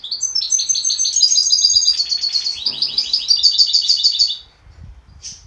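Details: Goldfinch hybrid singing a fast run of bright, twittering notes, repeated about three times a second with buzzy trills mixed in, then a pause and a short high note near the end.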